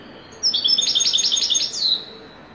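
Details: Wedani-style song of a European goldfinch: a fast run of high, tinkling, alternating notes lasting over a second, ending with a brief downward-sliding note. The background is quiet.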